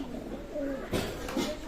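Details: Pakistani high flying pigeon kept at a loft in Daulatpur, Khulna, Bangladesh, recorded 04/08/2026; soft low cooing notes come in short bursts, with a muffled thump partway through against steady room noise.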